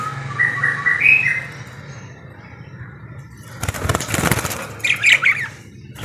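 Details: Actively singing parakeet gives a short run of squeaky chirps, then a loud flutter of wings, followed by a few more chattering notes over a low steady hum.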